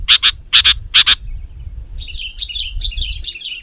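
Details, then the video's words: Sooty-headed bulbul in lively song, used for luring wild bulbuls: three loud doubled chirps opening, followed by softer bubbling warbled notes trailing off, over a low background rumble. "Suara Burung KUTILANG GACOR Rapat Menekan Lawan Ampuh Untuk Memikat BURUNG KUTILANG Liar"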